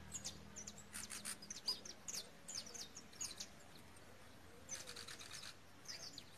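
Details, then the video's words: Female Belgian canary giving short, high, thin chirps in irregular bursts with brief pauses, over a steady low hum and soft clicking noises. "Fêmea de belga"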